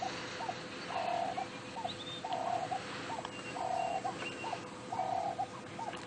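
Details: A turtle dove calls in the distance on a 7 AM sunrise safari drive, 25 October 2016, on a warm day after overnight rain: a low, hollow coo repeated about every 1.25 seconds, with faint chirps and a gentle breeze.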